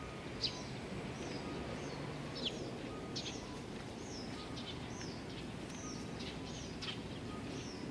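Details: Eurasian tree sparrows, young ones, recorded on 19 June 2019: a steady series of short, high, downslurred chirps roughly every half second over a constant low outdoor rumble.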